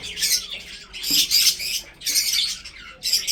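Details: Breeding budgerigars in captivity chirp in short bursts of harsh, buzzy high chatter, about one burst per second with brief gaps between.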